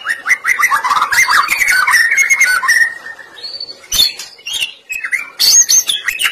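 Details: Loud, energetic white-rumped shama song used as a lure for other shamas: tumbling warbled phrases, then high piercing whistles, clicks and sharp chips in quick, ever-changing sequence.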